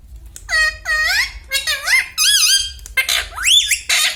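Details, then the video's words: Pet parrot talking, repeating mummy, papa and radhe radhe: rapid run of clear, nasal, speech-like syllables that swoop up and down, closely spaced, with a faint low hum beneath. "Parrot talking everything || mummy mithu bolta hai"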